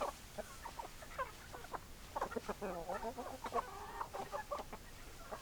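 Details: Chickens called over with their favourite food cluck busily, with dense overlapping short clucks and murmuring notes from several birds, strongest in the middle of the stretch.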